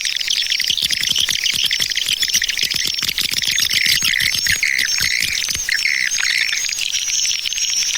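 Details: Lure call for swiftlets, 'Tarik Permata' type: crowded high chirping and twittering, thin whistles drifting up and down, and a steady stream of dry clicks throughout.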